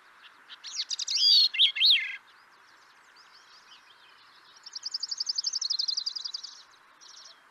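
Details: Grey-cheeked thrush song: a loud burst of high, slurred whistled notes that sweep up and down, a pause, then a fast, even trill of about twenty notes lasting two seconds, with a short faint phrase at the end.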